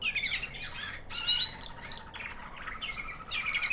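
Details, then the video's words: White American Singer canary hen, a proven breeder that raised young the previous year, singing after her molt: quick high twitters and chattering trills in bursts, with a constant low background hiss. "Singing canary FEMALE"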